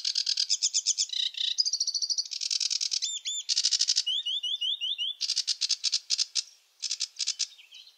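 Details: Sedge warbler song full of variety: scratchy chatter mixed with sweeter whistled phrases, a series of rising slurred notes and mixed harsh trills, in constantly changing order.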